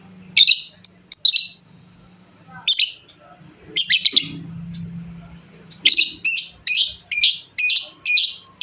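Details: Fighter lovebird in long chattering song ('ngekek panjang'): scattered sharp high chirps, a quieter stretch with a low hum, then a fast, steady series of harsh buzzy notes about three per second to the end.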